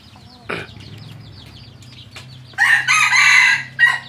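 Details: Wild chicken giving a loud, strained, raspy crow of about one second, a brief louder note after it, and a quieter second burst. Before it come faint chirps and a low steady hum.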